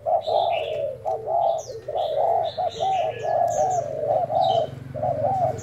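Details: Spotted dove kept as a decoy, trialled for its cooing: a dense string of mellow arched coos, briefly paused, over a low hum, with light chirps from other birds.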